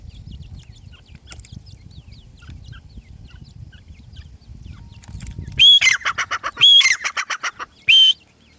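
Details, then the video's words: Faint high peeps from grey francolin chicks run through the first half over low rumble. Then loud, harsh, squawking calls break in, several in quick succession, followed by a final separate squawk. "grey Francolin voice,Teeter bird ke awaaz,teetar chicks"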